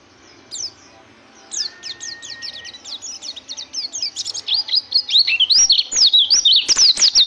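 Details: Caged white-eye singing: a few thin high notes, then a rapid run of sharp, high zigzag chirps that builds louder and denser toward the end, with a faint steady hum underneath.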